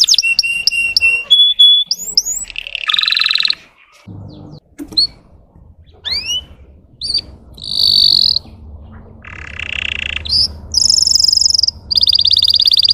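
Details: A Russian canary, played to provoke young trainee birds, sings a fast, varied song of rapid trills, upward-sweeping whistles and buzzy rolls, switching phrases every second or two, with faint background hum.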